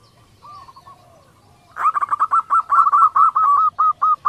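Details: Female zebra dove giving a kerot call to draw males into breeding condition. After faint soft notes, a sudden steady train of short, clipped, slightly rising notes comes about twice a second.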